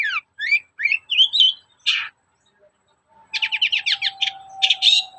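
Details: Morning lure song of a long-tailed shrike meant to set other shrikes singing: twisting whistled notes and a harsh burst, a short silence, then fast chattering notes over a steady, thin sustained tone.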